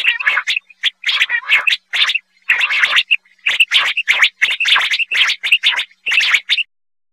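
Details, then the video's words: Quail calls played as a hunting lure: a rapid series of harsh, buzzy chirping bursts, several per second, broken by brief gaps and short thin whistled notes, continuing steadily for about seven seconds with no other sounds. "Quail Hunting Sound"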